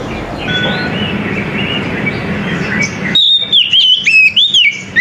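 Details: Morning song of an Oriental magpie-robin: after three seconds of background noise with faint distant chirps, a loud run of sharp, slurred whistles leaps up and down in pitch in rapid succession.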